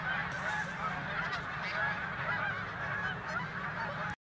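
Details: A large flock of snow geese feeding on spilled corn in a corn field, wary of an approaching person and circling to land farther away: a dense, continuous chorus of high, nasal honks and yelps overlapping without pause.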